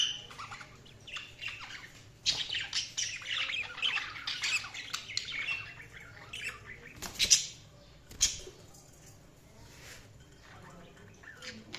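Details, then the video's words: Budgerigars keep up a long, dense, high-pitched scratchy warble with squawky chirps, broken by a couple of sharp loud clicks and then softer chatter toward the close. "Budgies Sounds| Budgies Chirping sound"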